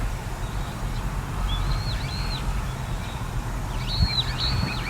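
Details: Little ringed plover, recorded on a date given as 21 04 14: a few thin, high whistled notes that rise and then slur downward, a pair near the middle and another cluster near the end, heard over a steady low rumble.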